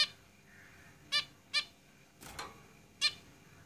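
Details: Zebra finches kept in a cage give four clipped, nasal call notes at irregular intervals, with a softer rasping sound in between and constant faint noise.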